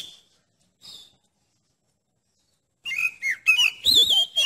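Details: Oriental magpie-robin, song meant to test a rival magpie-robin's nerve: two faint notes, a silence, then a quick run of loud whistled and warbled notes.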